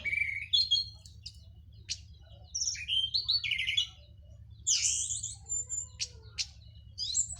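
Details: Local Cililin orange-headed thrush, freshly through its moult, delivering open teler song: loud rising and falling whistles, sharp upward sweeps and quick twittering notes separated by short pauses, over a faint low hum.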